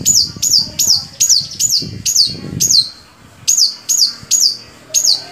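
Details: Long-tailed shrike singing, played to spur other shrikes: high, thin downslurred notes repeated rapidly in runs, broken by a short pause, with soft low rustling.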